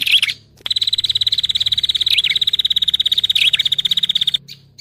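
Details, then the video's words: Prinia lure sound for catching birds, Indonesia: a short twittering burst, a pause, then a steady machine-like rapid trill of evenly repeated buzzy notes with occasional downward swoops, stopping abruptly. "SUARA PIKAT SEMUA JENIS BURUNG PRENJAK"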